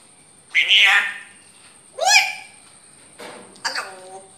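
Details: Grey parrot talking: three separate speech-like utterances with voice-like harmonics, the first rising and the second sweeping upward, spaced over about four seconds in a quiet room.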